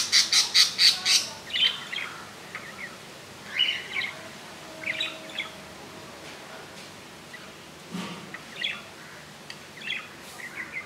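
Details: Newly hatched budgerigar chick in its nest, second day after hatching on 15 July 2018: a quick run of five loud, high chirps at the start, then scattered softer squeaky peeps through the rest.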